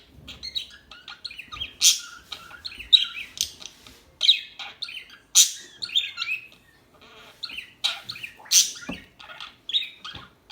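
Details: A long stretch of small birds twittering, with bursts of high chirps and trills and loud piercing notes recurring every few seconds.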